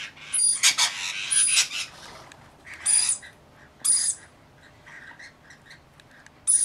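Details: Rainbow lorikeets at bathing and feeding time start with a dense run of harsh screeches. Single loud squawks follow at about one-second spacing, then softer chattering notes and a final screech.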